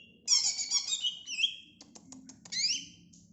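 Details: Short phrase from a greater green leafbird: a harsh buzzy whistle sliding down, a few clicks, then a rising squeaky slur.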